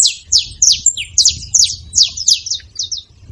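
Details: A group of saffron finches making noise together: a steady stream of sharp, high, downslurred chirps, roughly three per second, uneven in rhythm and overlapping.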